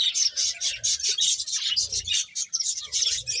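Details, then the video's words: Eating finches chatter constantly with bright, high, overlapping chirps, steady and dense, broken by brief softer gaps and faint low pecking or rustling sounds. "Cute Birds Chirping Sounds | Beautiful Finches Eating"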